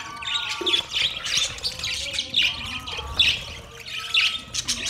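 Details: Budgerigars eating soft food together, 3 October 2023: repeated squawky chirps about once per second over a soft chattering background.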